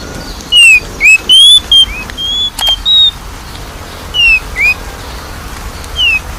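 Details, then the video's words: Oriental magpie-robin lure song meant to get a reluctant bird singing: a ringing whistled phrase of descending and rising slurs followed by steady whistles, then a shorter partial repeat with a few sharp clicks between. "PANCINGAN KACER MALES BUNYI"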